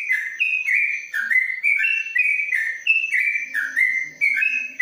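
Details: Yellow-vented bulbul kept in a covered cage in Kebumen, Indonesia, delivering long 'ropelan panjang' song: bright whistled notes stepping up and down in quick succession, nearly continuous, over a constant thin high-pitched hum.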